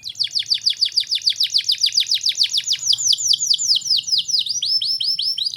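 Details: Singing canary serving as a tutor recording to get young canaries singing quickly: a rapid, even roll of high, downswept notes for nearly three seconds, then a slower series of longer, arched whistles, with only faint low hum behind.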